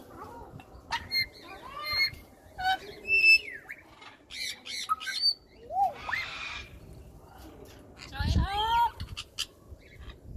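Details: Non-stop talking African grey parrot pet produces a lively mix of clicks, squeaky whistles, a rising hissy sweep and a final chain of arched whistled notes, with a short thud near the end.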